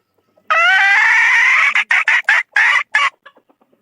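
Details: Young F3 decoy rooster of the 2022 season crowing: one long, loud, harmonic note held about a second and a quarter, then five short clipped bursts that fade into faint trailing sounds.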